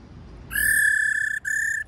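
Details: Calling female laughingthrush in its 'ro ro' style to rouse males: a clear, steady whistle held for nearly a second, a brief break, then a second flat whistled note, with faint low background noise.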